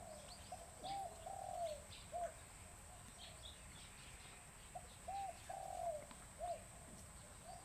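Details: Captive bronze-tailed peacock-pheasants at a breeding center in Chiang Mai, Thailand, give soft mid-pitched hooting notes in two matching bursts about four seconds apart, each a quick group of three or four short arched notes, over a steady high hiss.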